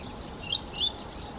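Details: European robin singing at the top of Pennsylvania Castle Wood, Portland: two thin, high, wavering whistled phrases over a steady hiss of background noise.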